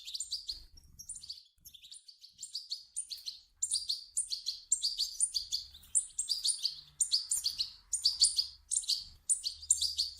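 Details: Begging calls of European goldfinch chicks, used to prompt an adult goldfinch into song: bright, high-pitched twittering bursts repeated roughly every second or two, each a quick cluster of sharp chirps, with faint low rumbles beneath.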